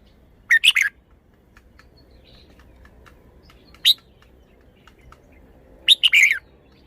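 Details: Red-whiskered bulbul singing more softly over a faint background hum: a quick three-note phrase, a single clipped note, then a fuller, warbled phrase near the end.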